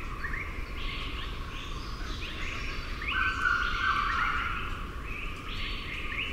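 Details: Grey junglefowl crow with reply calls behind it: a strong, level, mid-pitched phrase of just over a second rises out of a busy chorus of stepped, upward-sliding calls from other birds over constant low background noise.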